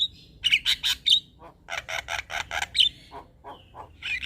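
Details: Male Javan myna song meant to provoke other mynas: loud harsh squawks in short bursts, a few bright whistled notes, then softer scratchy chatter.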